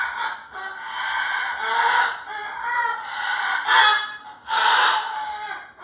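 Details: Harsh, grating shrieks from a pet cockatoo playing at roaring, strung together almost continuously and swelling louder near the end in a few stronger bursts.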